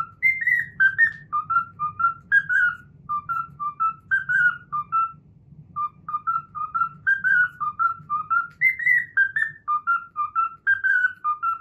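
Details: Cockatiel kept as a pet whistling the Pythagora Switch opening theme it has learned, a quick run of short pure whistled notes stepping up and down about twice a second, with a brief pause midway and a faint low hum underneath.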